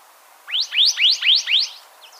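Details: Canyon Towhee (Melozone fusca) singing a quick run of five sharp, rising chip notes, about four per second, high and bright, with nothing else heard.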